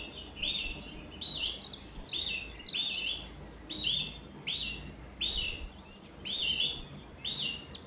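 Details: Canary song in rhythmic bursts about once a second, each burst a dense tumble of trilled, chirping notes with bright overtones; a soft background hum runs throughout.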